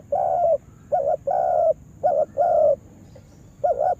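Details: Spotted dove used as a trapping decoy, trained in a yard. It repeats soft, low phrases, each a brief doubled coo followed by a longer held coo, about three phrases in quick succession.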